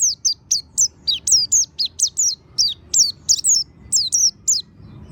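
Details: Oriental white-eye song used as a lure to make another white-eye open its beak and sing: a rapid string of high, thin, slurred whistled notes, each dropping or wavering in pitch, about three to four per second, with a low background hum.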